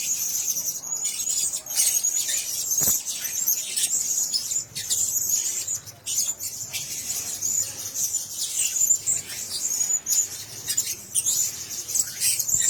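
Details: Several caged Blue-crowned hanging parrots sharing one cage, chattering steadily with shrill, thin, high squeaks and chirps that blend into an unbroken twitter, with a faint low hum underneath.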